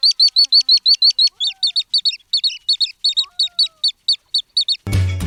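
Little Stint giving a fast series of short, high, sharp chips, about three per second, ending abruptly in a burst of noise.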